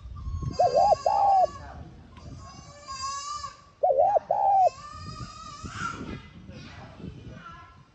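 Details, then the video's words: Spotted dove cooing, played to trigger decoy birds into calling: two separate phrases of a short arched coo plus a longer level coo, over loud, harsh, repeated calls from other birds and rural background noise. "Tiếng Cu Gáy Hạp BổI [ TGÁY GỌI ] Kích Bổi Nhanh Nổi"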